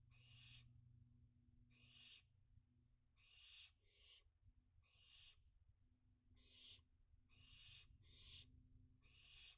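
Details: Juvenile barn owls at dusk on 29 June 2021, during a heatwave: soft, repeated hissing screeches, some in close pairs, spaced irregularly over ten seconds above a humming background.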